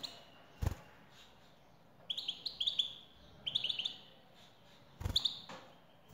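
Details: European goldfinch, female calls used to make a male sing: bursts of short, bright rising chirps in quick runs, with pauses between groups, and several dull thumps.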